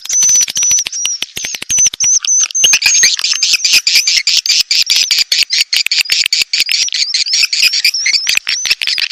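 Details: Edible-nest swiftlet mating call used as a lure: a high whistled tone over rapid clicking at first, then crowded buzzy chirps and rattling twitters to the end.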